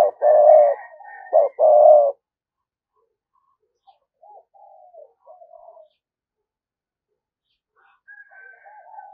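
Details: Lure spotted dove coo in the 'thúc gù' style. A loud low phrase of short notes and held coos fills the first two seconds. Quiet wavering murmurs and faint distant chirps follow.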